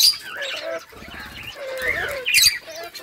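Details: Budgerigars calling while eating: soft, wavering warbled notes in a low-to-mid register, with brief sharp high chirps breaking in near the end over a faint, steady background hiss.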